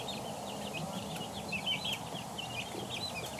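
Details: Two-week-old chicken chicks peeping continuously: many short, high, chirpy peeps overlapping from several chicks, over a steady low background hum.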